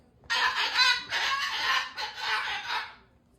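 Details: A pet cockatoo indoors, upset by 40 mph wind moving the trees outside, gives a harsh, raspy screech in three long, loud bursts over about three seconds.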